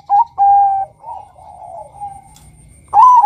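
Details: Male zebra dove calling to lure rival males: two short clear coos, a softer wavering stretch, then a loud rising coo at the end.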